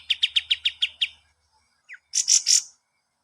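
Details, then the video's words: Kapas tembak master song for training cage birds: a quick series of seven sharp repeated notes, then a short falling whistle and three harsh, buzzy high bursts. "masteran burung kapas tembak"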